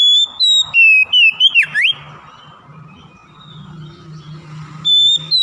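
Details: Oriental magpie-robin song used as a lure to get silent, reluctant birds singing; clear, high whistled notes in short, even phrases with swooping slides, then a pause of about three seconds filled by a low hum before the whistling resumes.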